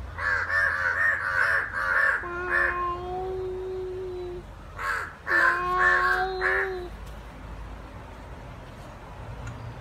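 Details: Two crows in a fight, a rapid series of grating caws mixed with steadier drawn-out tones, then another burst of caws before the sound fades to background noise.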